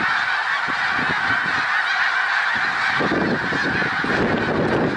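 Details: Snow geese in a large flock at Middle Creek Wildlife Refuge, Pennsylvania, on 1 March 2021: a dense, unbroken chorus of nasal honks and yelps, with many birds calling over one another throughout.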